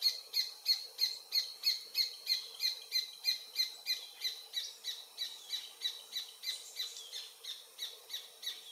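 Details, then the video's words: Adult Paradise Jacamar (Galbula dea dea), sex undetermined, singing near the Comte (Oyak) river, French Guiana, at 11:00 on 8 November 2023, recorded with a Panasonic FZ300: a steady run of high, sharp notes, about three per second, slightly fading toward the end. "Paradise Jacamar (Galbula dea dea) singing"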